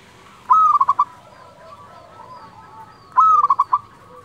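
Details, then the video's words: Local zebra dove in the 'nyuling' fluting song style gives two loud phrases about 2.7 seconds apart. Each starts with a sharp whistled note and breaks into four or five rapid, bubbling coos, with quiet cooing in between. "perkutut lokal gacor suara nyuling"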